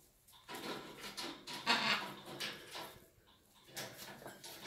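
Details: Pet macaws indoors, one playing while another takes flight; loud, harsh, raspy squawks in a run of broad bursts, the strongest near the middle, separated by short pauses, with room echo and no other animals.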